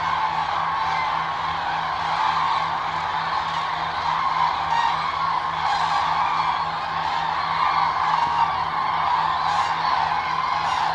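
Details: In winter, December 2022, a large flock of Eurasian cranes in the Hula Valley by the Jordan River, Israel, keeps up a dense, unbroken chorus of overlapping trumpeting calls over a steady low mechanical hum.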